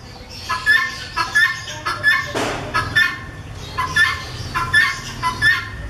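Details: Helmeted guineafowl breeder pair giving repeated rasping, buzzy calls in regular bursts, about eight notes in six seconds, with a brief noisy thump midway.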